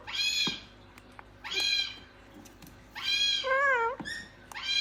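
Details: Talking gang-gang cockatoo with short, bright, raspy harmonic bursts roughly every one and a half seconds, one followed by a wavering lower tone.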